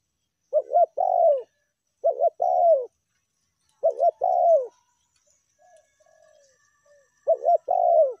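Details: Spotted dove (tekukur) lure call, meratus or melambung type: an angry call pressing a rival, or ordinary calling when quiet. Four low, mellow phrases each hold a quick double note and a longer falling coo, spaced a second or more apart.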